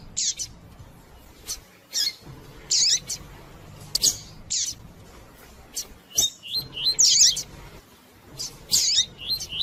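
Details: Double-collared seedeater, the tui tui song type, used to provoke and warm up silent males into singing. Rapid high, sharp chirped phrases and buzzy trills repeat every second or two, separated by short gaps, with faint steady hum beneath.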